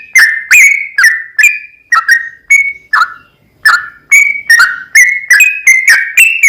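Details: Rapid, extended song of a sooty-headed bulbul meant to provoke singing: fast runs of bright whistled notes broken by a brief lull, then quickening again into a dense string.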